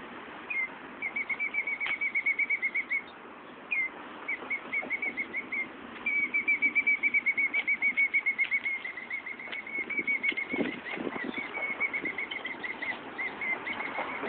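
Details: Female bird guarding her nest just outside an office window, squawking whenever someone goes outside while her mate flops around nearby feigning injury; shrill, sharp notes repeated rapidly, about four per second, in runs broken by brief pauses.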